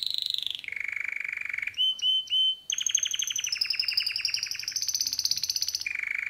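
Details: Singing male canary kept as a pet: a high whistle dropping to a level tone, three short flat whistles, then long rapid rolling trills that step up in pitch and return to a steady lower note.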